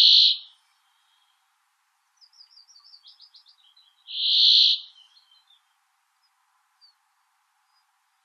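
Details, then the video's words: Brambling: loud, drawn-out nasal buzz lasting half a second, repeated about every four seconds, with a faint rapid trilling series in between. "Голоса птиц. Вьюрок. Brambling (Fringilla montifringilla)"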